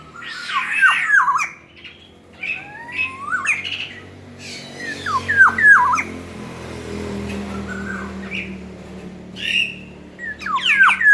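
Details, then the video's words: Loud, varied song of a tame, hand-fed black-naped oriole: looping whistled phrases dropping and rising, scattered between pauses over a steady low background hum. "Kicauan Keras kepodang jawa Berfariasi."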